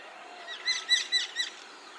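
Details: Common myna (shalik) perched in a tree gives a quick run of four or five harsh, harmonic chirps within about a second, set against a quiet background hiss.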